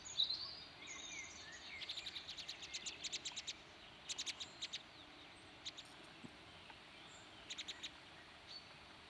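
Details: A song thrush in a field near Redmires Reservoirs, Peak District, UK, gives sharp, high clicking notes in quick bursts of several repeats, with a few thin whistles at the start, over a steady low hum.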